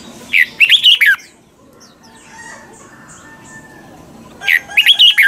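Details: Red-whiskered bulbul double-note song used as a lure for training caged birds; two loud warbled phrases of about five notes, separated by four seconds of faint high chirping.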